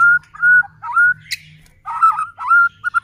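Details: White-rumped shama kept in a cage, its song used to stir other shamas to sing; clear level whistles about every half second, broken by a short high buzzy note and warbled phrases.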